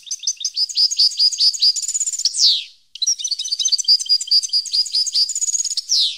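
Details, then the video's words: European goldfinch in 2015 delivering two long bursts of fast tinkling twitter, each closing with a trill and a strong downward-slurred buzzy note, separated by a brief pause. "Goldfinch song 2015/ Canto Jilguero Parva 2015"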